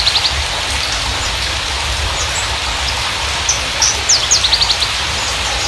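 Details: Javan bushlark of the parva form, offered as a lure for untrained or silent birds. Short high chirps, then a quick cluster of sharp rising notes near the end, under persistent broadband hiss.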